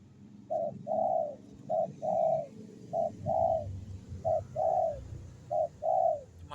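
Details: Kept zebra dove cooing in a steady rhythm: five pairs of a brief clipped note and a fuller, drawn-out trilled coo, roughly one pair every 1.2 seconds, with low indoor background noise.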